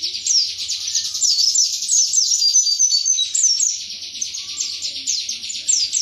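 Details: Indonesian white-eye in continuous high, rapid song, a dense stream of slurred downward chirps delivered about four per second.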